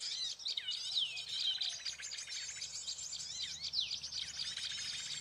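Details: Prinia lure recording played at low volume from a phone placed on the ground to attract birds to a trap: a dense, high, scratchy twittering with quick rising and falling chirps running continuously.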